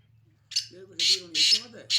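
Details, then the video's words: Harsh, rasping bursts from a Sindhi black francolin (kala titer), with lower wavering tonal sounds running beneath them. "Full Awaz Sindhi Kala Titer Awaz"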